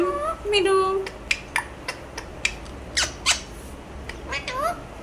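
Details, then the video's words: A talking Alexandrine parakeet produces a run of varied harmonic, speech-like squawks and syllables, some held and level, others rising and falling, mixed with sharp clicks. "চন্দনা টিয়া পাখির কথা শোনো"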